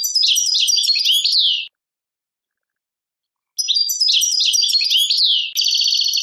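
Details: Singing European goldfinch from Algeria in the Tadmait style. Two long bursts of quick, bright, chattering twitters with falling slurs are separated by a two-second silence. The second burst ends in a steady buzzy trill.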